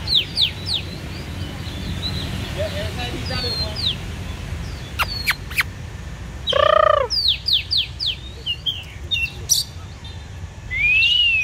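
Oriental magpie-robin singing a rich, varied song of clear whistles and sharp downslurred notes, with a loud ringing phrase midway and a rising whistle at the end; low background rumble.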